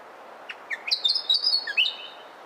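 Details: Willie wagtail phrase of brief chirps leading into high, drawn-out whistled notes at a steady pitch, closing with a quick rising slur; soft steady background noise throughout.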